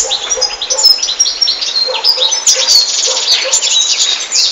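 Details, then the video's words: European goldfinch in full song, a bright, rapid jumble of tinkling notes, downslurred chirps and short trills, steady and unbroken, with faint low pulses underneath. "Goldfinches(carduelis) Amazing Singing"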